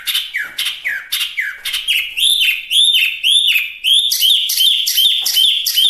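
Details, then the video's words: Chinese hwamei, known locally as wambi mini, singing a recording meant for tutoring pet birds and for luring. Loud repeated phrases of downward-sweeping notes ending in bright rising whistles, about two phrases per second, growing fuller toward the end. "Suara Asli Wambi Mini/Hwamei Gacor pas buat Masteran dan mikat"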